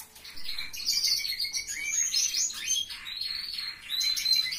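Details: Canaries kept in a family member's indoor aviary, singing a continuous high warbling song of rapid twittering notes and buzzy trills with no pauses, several birds overlapping.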